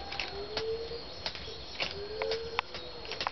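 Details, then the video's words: Satyr tragopan in frontal courtship display giving drawn-out, slightly rising hooting notes, two clear ones in quick succession, mixed with sharp clicks and brief higher chirps from other birds. "frontal courtship of a tragopan satyra"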